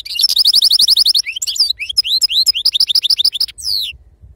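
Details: European goldfinch of wild stock singing: a fast rattling trill of high twittering notes, then varied upslurred whistles and chirps, closing with a drawn-out falling note.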